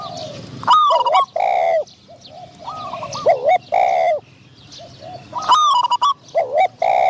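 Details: Decoy spotted dove luring a medium-voiced wild dove: strong, ringing, harmonic coos with looping downward and upward bends, repeated in groups with short quiet gaps between them.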